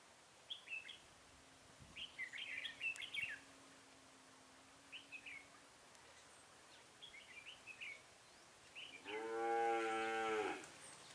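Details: Red-whiskered bulbul used as a decoy, singing to lure wild bulbuls into a trap, recorded 23 October 2017. Short warbled, chirpy phrases come in bursts separated by pauses, and a cow lows loudly near the end.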